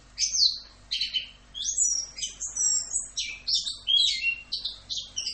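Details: Orange-headed thrush pouring out "Rock'n Roll" tutor song, a dense stream of high, ringing whistles and chirps with quick pitch jumps and few gaps.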